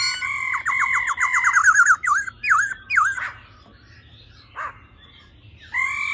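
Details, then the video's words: Female laughingthrush 'ro ro' call to fire up males: a fast rolling trill of ringing harmonic notes, then three or four looping twisted whistles, a pause, and a brief final ringing phrase. "Khướu mái ro ro.kích trống nhanh căng lửa"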